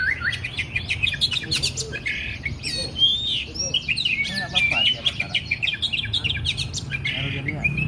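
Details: Lively Oriental magpie-robin song for training and morning or evening therapy of kept birds: a dense, varied stream of quick chirps, twittering trills and clear whistled slurs with hardly a pause, over a low rumbling background.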